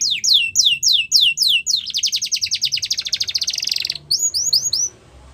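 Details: Yorkshire canary song for training young canaries: fast series of descending whistled sweeps, then a rapid buzzy trill held for about two seconds, ending in a few more falling whistles.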